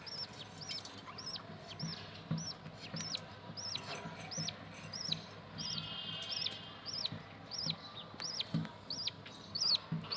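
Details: Young budgerigars from a new breeding pair, raised as pets and followed through their growth stages; thin, arched high calls repeated steadily about twice a second, each rising then falling, over a faint low background hum.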